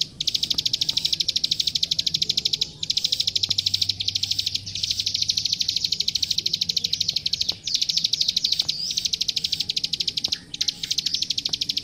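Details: Long energetic plain prinia song used to train captive birds: fast, dry clicking notes repeated in rapid runs, interrupted by several short gaps, high and piercing throughout, with soft low hum beneath.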